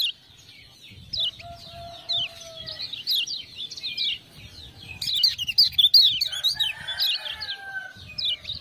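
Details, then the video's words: Lemon-bellied white-eye (kecial kuning) from Lombok, a kept tutor bird singing continuously after ciak-ciak prompting sounds; rapid jumbled high chirps and twittering notes in bursts, with a lower drawn-out whistle early on and faint low background rumble. "Kecial Kuning joss gacor"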